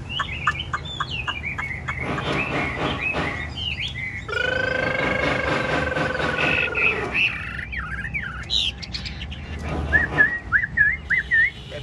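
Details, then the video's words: Captive Chinese hwamei of the ngũ trường song style, nodding as it dances: whistled phrases at the start and end, with a loud droning, noisy interruption in the middle. "Họa mi ngũ trường bộ to hót gật gù múa lân"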